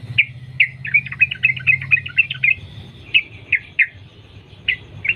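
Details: Lure song from a wild Yellow-vented Bulbul in linked 'ropel' style: a few spaced bright notes, a rapid string of chirps, then slower single whistled notes spread out, with a soft hum underneath.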